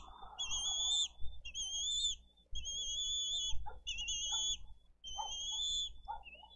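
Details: Bald eagle chick at a Dade County nest, filmed by nest camera on 20 April 2023, begging for food. Five sustained, piercing whistled calls with a slight quaver, each about a second long and separated by short gaps. Muffled thumps sound between calls.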